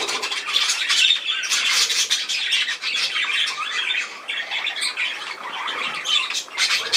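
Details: Budgerigar chatter, a continuous busy mix of high scratchy warbles, squawks and short squeaks with no pauses.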